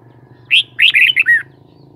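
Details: Red-whiskered bulbul, a kept cage bird, gives a quick phrase of five liquid whistled notes, the last falling. A steady low mechanical hum sits beneath it.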